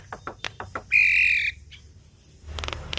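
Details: Javan myna, sung as a model for training cage birds: scattered clicks, then a loud, steady, buzzy whistle held for about half a second, a pause, and more soft clicks.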